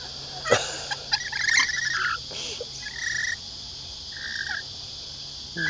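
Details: Hand-fed lorikeets at Lane Cove camping ground near Sydney, Australia, giving harsh, high screeches, first a busy overlapping chatter, then two separate drawn-out shrieks, against a steady high hiss.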